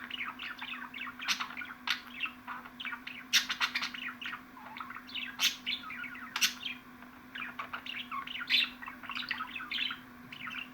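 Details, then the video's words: Budgerigar chatter, ten minutes of budgie sound meant to excite pet budgies: dense warbling chirps and short sharp clicks tumbling on without pause, several birds overlapping, with a steady low electrical hum beneath. "MUHABBET KUŞUNUZ ÇILDIRACAK,MUHABBET KUŞU SESİ"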